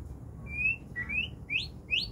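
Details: White-rumped shama in lively song: a clear level whistle, then a run of rising, slurred whistled notes about every half second, loud and bright over a low rumbling hum.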